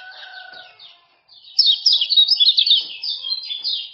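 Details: Lombok male common iora in fast 'ciak-ciak' chatter played to coax a quiet iora into song: faint notes and a brief pause, then a loud, dense rush of rapid high chirps.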